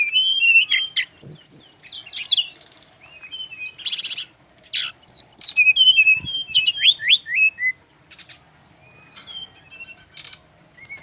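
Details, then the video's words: Singing male Brown-chested Jungle Flycatcher from Bali: rapid series of upslurred whistles and steep sweeping notes broken by loud harsh buzzy bursts, continuing steadily throughout. "SRDC laen langsung nyaut denger suara burung SIKATAN RIMBA INi"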